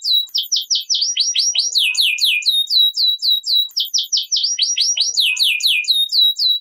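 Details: Canary singing 'ngerek' as a lure for lazy canaries: two bursts of rapid downward-slurred whistles, each several seconds long, separated by a short pause.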